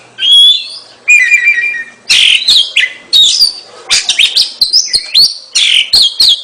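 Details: Oriental magpie-robin singing vigorously ('gacor'): clear whistled notes around mid-high pitch, some sliding upward, then bursts of rapid chattering and rising whistles in quick varied phrases, loud and close, no other sounds.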